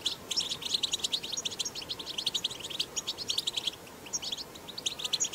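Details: Batbata song of a wild European goldfinch, recorded outdoors and used to encourage goldfinches to sing: fast, unbroken chattering of sharp high twitters and short liquid trills, slightly denser toward the end, against low background noise.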